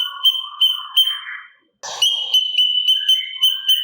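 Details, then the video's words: Sooty-capped babbler singing kasaran fills for bird training: high whistled pulses with a low warble, a short silence and harsh burst, then the pulsing whistle resumes with lower interjected notes. "Pancingan Cucak Cungkok Gacor Isian Kasaran Sangat Cocok Untuk Masteran Burung Agar Nembak Sangar"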